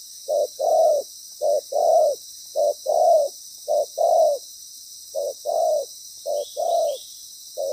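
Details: Spotted dove decoy with a strong, well-patterned voice, used to lure birds while trapping on the ground. It gives roughly eight paired coos, a brief note then a longer rounded one, with a short pause midway before the series resumes.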